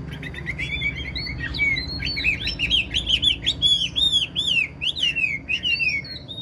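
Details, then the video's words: Caged old wild-caught Chinese hwamei with an excellent singing voice, beginning softly with thin notes, then building into a fast stream of loud arching whistles repeated many times. "Chim già rừng chất giọng cực hay"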